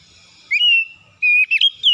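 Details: Morning song of an oriental magpie-robin singing hard, two long, steady, bright whistles separated by a pause, the second running into quick warbled flourishes.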